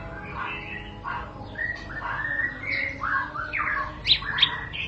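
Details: White-rumped shama recording meant to make shamas start 'ngentrok' at once: varied phrases of rich whistles, harsh squawky notes and quick slurred notes, rising toward sharp high accents near the end, over a low background hiss.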